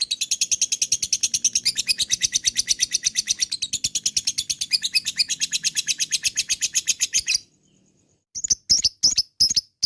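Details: Lovebird delivering a long ngekek for a lure recording: a rapid, grating, high chatter running unbroken for over seven seconds, then a brief gap and several separate loud harsh bursts.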